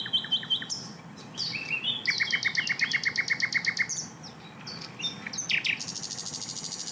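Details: Loud sikatan londo, Asian brown flycatcher, with dense 'tembakan' phrases recorded as a master for training songbirds such as magpie-robins: fast rattling chip series, whistled sweeps and a closing buzzy trill.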